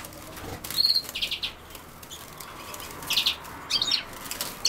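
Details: European goldfinch, shown with common sowthistle: scattered high twittering notes, one thin whistled note, then quick chirp groups later on, over a soft background hiss.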